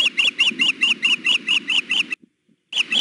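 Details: High, insistent chirping from a female osprey begging her mate for food at the nest, Hellgate, 6 June 2016, very hot afternoon. About ten fast, evenly spaced whistled notes, a brief silence, then the chirping resumes.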